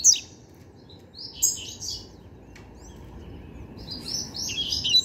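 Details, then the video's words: Novice young double-collared seedeater, its song training finished, delivering high twittering phrases: a bright burst near the start, scattered chirps, then a run of fast high notes at the end, against faint low background noise. "Papacapim Novato Cantando Bitolado!!!"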